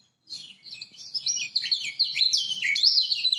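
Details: Lombok lemon-bellied white-eye giving a master song to prompt silent birds to sing: an unbroken, rapid high warble of sliding twittering notes that grows louder over three seconds.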